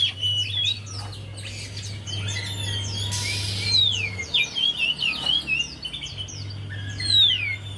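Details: Javan white-eye singing, used as a lure for a quiet bird: busy high twittering with descending slurred whistles, a short burst of noise midway, and a low background hum.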